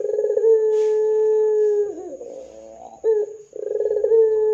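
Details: Lure recording of a ringneck dove to set off other doves: a long level coo that bends down at the end, a rolling purr, a short accented note, then another sustained coo.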